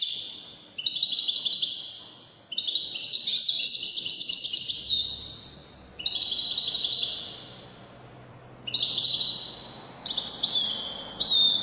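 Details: European goldfinch singing Moroccan Wydani-style trills in repeated phrases with short gaps between. The phrases are fast, bright and twittering, with tinkling high notes and a steady, vigorous delivery.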